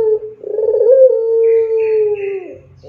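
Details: A Barbary dove in the long, clear pelung style begins with a rolling, gurgling note. It swells into a long, smooth, sustained coo that slowly falls away.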